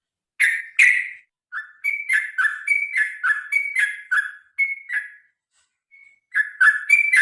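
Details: Sooty-headed bulbul (trucukan) in long fighting-style song meant to prompt birds to sing: two loud opening notes, then a fast chain of liquid whistled notes alternating higher and lower, a brief gap, and a renewed burst.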